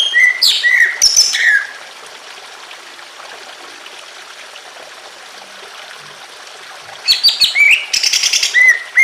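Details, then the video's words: Greater green leafbird in emotional song, meant to prompt other leafbirds to sing, set against trickling water: bursts of bright, slurred whistles and sharp chirps open and close the recording, with a steady wash of water between them. "BIKIN CUCAK IJO LAIN IKUT BUNYI EMOSI"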